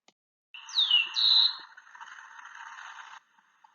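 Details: A Rufous-collared Sparrow (chincol) in central Chile sings its song, likened to "have you seen my uncle Agustín?": two high, slurred whistles, the first falling and the second steady, then a softer buzzy trill, over a steady hiss.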